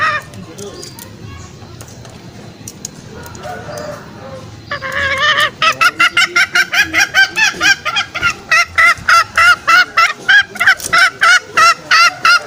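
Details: Green junglefowl lure call, used in the forest to draw male junglefowl out toward snares. Murky, noisy opening, then from midway a fast run of short, honking, harmonic notes, about three per second and fairly even.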